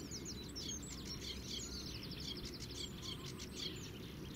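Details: Sedge warbler at the Zouweboezem, Netherlands, in spring, filmed from a distance, singing a fast, unbroken run of scratchy chatters mixed with sharp, clear whistled notes, over a steady low rumble of wind or distant noise.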